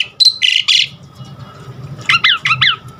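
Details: Energetic Asian pied starling song, varied and full of filler phrases, meant to coax caged birds into singing; two harsh buzzy bursts, a pause, then four quick whistled notes that each sweep sharply down, over a faint hum.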